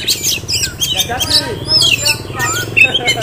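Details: Caged Oriental magpie-robin from Kisaran, kept as a future contest bird, pours out mixed chirps, slurred whistles and scratchy notes in quick succession, with faint low sounds underneath.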